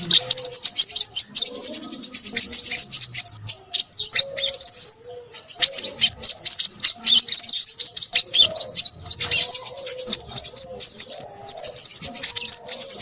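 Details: Busy song of a crimson sunbird: a continuous, high-pitched run of fast chips and trills that rarely pauses across thirteen seconds, shrill and energetic throughout.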